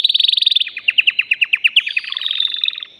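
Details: Excited caged male canary singing to stimulate a female for mating: fast bright trills, a rapid rattling burst, then slower evenly spaced chipping notes and a closing high rolling trill, loud and clean.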